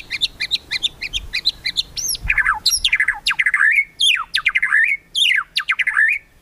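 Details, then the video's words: White-rumped shama, kretekan song used to stir rivals into singing; quick bright chirps run into harsh, slurred squawks and scratchy downward notes in loud, uneven bursts. "KRETEKAN MURAI BATU MEMANCING EMOSI, BIKIN LAWAN CEPAT GACOR EMOSI"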